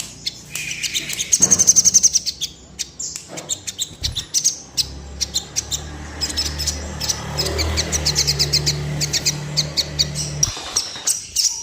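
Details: Crimson sunbird sound meant to make birds in breeding condition quiver their wings and display. Rapid high, thin chirps and a bright buzzy trill early on, then dense repeated ticking notes over a low background hum.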